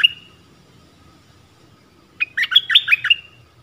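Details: Streak-eared bulbul singing one clear whistled note, then after a pause a quick tumbling run of six or so bubbly chirps that rise and fall, ending with a softer trailing whistle; quiet background otherwise.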